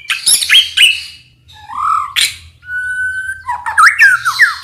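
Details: White-rumped shama lure song for prompting responses: harsh scratchy bursts, a rising curved whistle, a long steady whistled note, then quick jumbled twittering and swooping notes, faint low hum in background.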